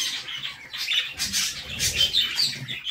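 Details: Budgerigar chicks in a nest box being fed by their mother, giving harsh, raspy, hissing squawks in uneven bursts, louder and denser in the second half, with faint low rustling beneath.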